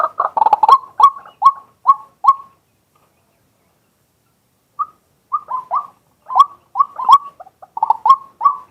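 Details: Male white-breasted waterhen giving daytime calls, captured live from a fixed camera: short croaky notes in quick series, a silent gap of over two seconds, then another run of rough, repeated notes.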